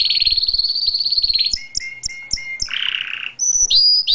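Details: Canary song with a rapid rolling trill, then separate paired high chirps repeated about every quarter second, a harsh buzzy burst, and sharp rising and falling whistles.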